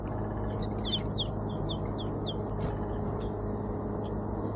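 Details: In a snowy Southern Ontario backyard in January–February 2024, a hungry winter flock of 15–20 sparrows landing at seed piles gives two quick bursts of high, squeaky chattering chirps, then scattered ticks, over a low traffic rumble.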